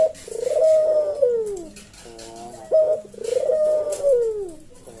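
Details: Mellow slow senggang manggung of a Javanese puter dove, meant as master and lure sound for kept birds: deep drawn-out coos falling in pitch, split by short stuttering notes, two full phrases.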